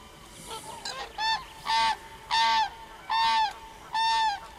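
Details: Common crane calling: five loud trumpeted notes, each a short level harmonic blast, repeated about every 0.7 seconds after a fainter call, over a low background hiss.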